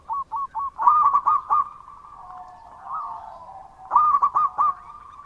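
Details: Local Indonesian zebra dove singing loudly and persistently: quick bursts of short, rolling, staccato coos, several notes per burst, with a softer, steady cooing hum between bursts.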